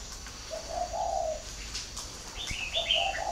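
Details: Two mellow, low-pitched coo phrases from a captive spotted dove in northern Vietnam's Ba Vì area, the second overlapped by bright, rapid chirping from nearby small birds.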